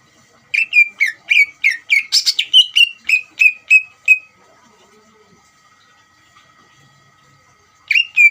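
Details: Greater green leafbird singing to goad another leafbird into answering: fast repeated whistles, with one harsh buzzy burst in the middle, about four seconds long; a long silence follows before another brief phrase.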